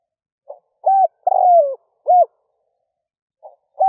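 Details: Spotted dove decoy cooing in early morning to lure wild doves: a soft short note, then a low hollow coo, a long drawn-out descending coo and a final coo, the phrase starting to repeat at the end, no other sounds.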